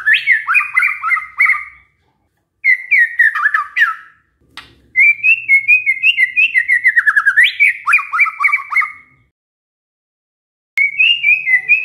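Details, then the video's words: White-rumped shama reproducing canary song, delivered in several bursts separated by short silences: rapid buzzy trills and descending whistled slurs, one long rolling phrase with a sharp upward flourish near the end. "murai batu bongkar isian KENARI"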